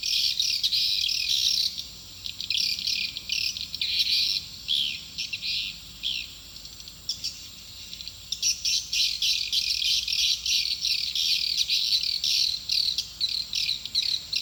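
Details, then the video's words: Swiftlet attraction call for a nest building, long stretches of shrill, chattering high-pitched twitters in rapid pulses, briefly softer in the middle. "Suara panggill burung walaet"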